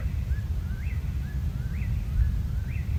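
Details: Black rail, New Jersey's rarest breeding bird, calling in May from the same spot as the previous year: sharp three-note kic-kee-doo, middle note rising, repeated about once a second over a steady low rumble.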